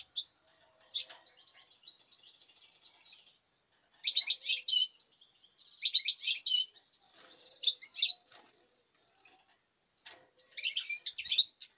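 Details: European goldfinch bred this season, recorded 5 August 2019, delivering separate bursts of lively twittering song, each one to two seconds long, with clean silent gaps between them.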